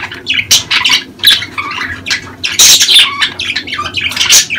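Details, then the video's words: Budgerigars in mating season, sounds meant to prompt females to lay; loud continuous warbling with harsh squawks, clicks and whistled notes crowding together, several sharp peaks, faint low hum beneath. "دع اناث البادجي تسمع هذه الاصوات كي تبيض بسرعة"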